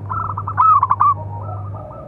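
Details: Local zebra dove call used to provoke and train other doves: a quick series of pulsed coos rising into a loud rolling trill, then softer trailing coos over a low steady hum.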